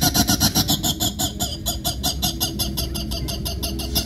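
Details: A captive laughing kookaburra at a travelling animal show, Dodge County Fair, Beaver Dam, Wisconsin, August 2022, gives a loud, harsh run of rapid chuckling notes, about three to four a second, over a low indoor rumble.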